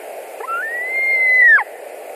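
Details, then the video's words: Evening at a white-tailed eagle nest in Latvia, 11 July 2020, one bird arriving back for dinner: one long, smooth whistle rising gently then sliding down at its end, with soft clicks either side. "White-tailed Eagles Latvia nest"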